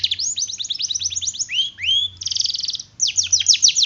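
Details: Canary long roll song: quick repeated downward chirps, two rising swooping whistles, a buzzy even roll, then more rapid sweeping chirps.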